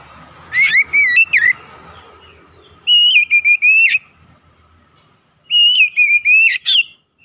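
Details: Kacer (Oriental magpie-robin) singing 'gacor', used as a lure to stir up other birds. Three bright whistled phrases of quick sliding and warbled notes, each about a second long and separated by pauses of one to two seconds.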